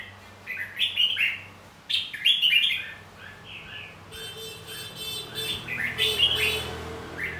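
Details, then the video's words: Red-whiskered bulbul fight song used to train the voice of newly caught birds: lively chortled phrases in two bursts, then a sustained buzzy ringing tone running beneath later warbles. "Luyện giọng hót chào mào. Kích chào mào hót đấu. Kích bổi ra giọng. Kích má trắng hót đấu"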